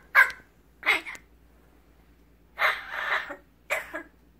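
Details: Rescued, human-imprinted pet magpie vocalizing while picking up its owners' words: two short scratchy bursts, a pause, then a longer hoarse, breathy phrase and a final rasping note, in a quiet room.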